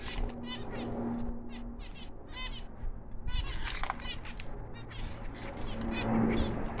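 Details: Newborn finch chicks heard through a noisy background: high, scratchy chirps in quick bursts, partly masked by a steady low hum and rustling.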